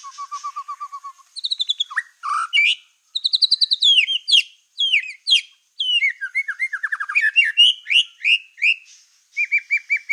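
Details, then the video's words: White-rumped shama, a black-tailed bird singing in full voice, its song used to provoke other shamas into agitation: a rapid varied medley of whistles, sweeping slurs and fast trills, opening with a low repeated note series, without pause. "PANCINGAN MURAI BATU EKOR HITAM GACOR, SEKALI DENGAR AMPUH BIKIN MURAI APAPUN LANGSUNG EMOSI"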